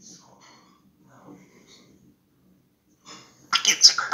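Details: A talking African grey parrot murmurs soft speech at New Year, then breaks into a loud, harsh, drawn-out cheer ("hurrah") at the end, with a person speaking quietly nearby.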